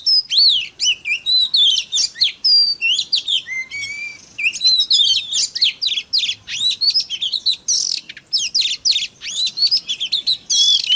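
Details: Oriental magpie-robin lure song meant to provoke rival kacer: a long, dense, energetic medley of piercing whistles, rising and falling slurs, buzzy notes and a sustained low whistle, hardly pausing.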